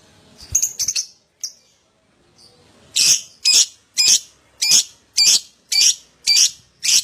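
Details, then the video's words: Lovebird sound used as a lure to get other lovebirds chattering (ngekek) quickly: after a second of scattered noise and a few sharp notes, harsh, high shrieks repeat about every half second. "Pancingan Love Bird Agar Cepat Ngekek"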